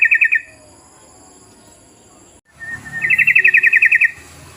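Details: Yellow-vented bulbul sound used as a lure to make other birds join in. The tail of one bubbling phrase, a pause, then a whistled lead-in and a quick run of evenly pulsed chirps.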